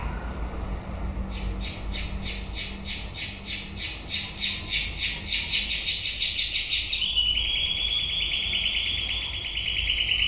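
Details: At the close of the breeding season a white-rumped shama delivers a fast, accelerating train of sharp repeated notes that speeds into a dense trill, then shifts to a buzzy sustained phrase, over faint low hum.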